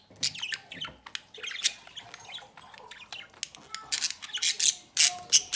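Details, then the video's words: Budgerigar parents feeding a nestling from the opening of their nest box; rapid, rasping, high chirps and squawks run almost without pause, building into louder, harsher bursts toward the end. "Mi Pareja de Periquitos Australianos alimentan uno de sus Pichonsitos desde la puerta del nido"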